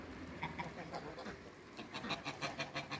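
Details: Domestic geese of African and Toulouse breeds meeting another animal on a farm: a quiet, fast run of short nasal gabbling notes, about three a second, over a low background hum.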